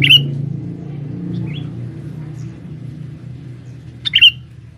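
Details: A male sooty-headed bulbul serving as a lure in the forest, meant to draw in females: a sharp chirp at the start, a soft rising note, then a double chirp near the end, all over a low rumble.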